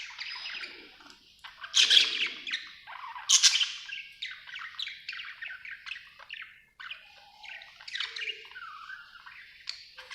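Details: Contented budgie chattering: loose sequence of scratchy chirps, squeaks and warbled notes in clusters, a few louder peaks early, continuing more quietly to the end.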